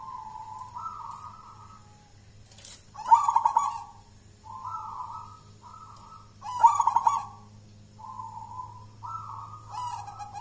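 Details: Wild-born local zebra dove from Mojopahit, Java, Indonesia, hand-raised and a contest champion, singing a series of soft low coos that step up in pitch, broken by rapid bubbling stutters, phrases recurring every few seconds against a faint low hum.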